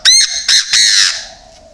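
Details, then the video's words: Chinese francolin kept as a decoy bird: a short burst of three loud, harsh, squawking notes, the third drawn out and slowly fading. "chim đa đa mồi"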